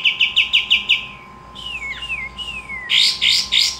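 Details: Pied triller (kapas tembak) singing: six quick bright notes, a string of wavering downslurred whistles, then three loud harsh bursts.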